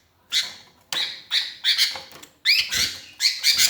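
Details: Lonely sooty-headed bulbul calling for companions, used as a lure: a string of harsh, buzzy chattering notes, several closely spaced, some with short falling whistled tails.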